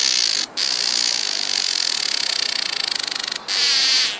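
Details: Village weaver, also called black-headed weaver, a species of Africa south of the Sahara; a dense, continuous sizzling buzz with rapid pulsing, broken by two brief gaps.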